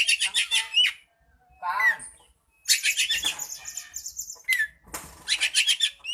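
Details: Oriental magpie-robin performing its tail-flicking display, giving harsh, buzzy bursts of rapid notes broken by short gaps, with slurred whistled notes. One scratchy phrase is mixed with faint rustling.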